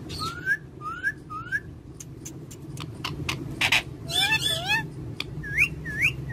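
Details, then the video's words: Green parrots kept as pets repeating short rising whistled squawks, then a cluster of harsher overlapping screeches, against a low humming background. "Talking Gareen Parrots"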